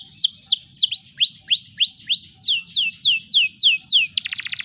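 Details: Canary song meant to coax other canaries into song: repeated swooping whistled notes, first falling, then rising, then falling again, roughly three a second, ending in a quick rattling trill.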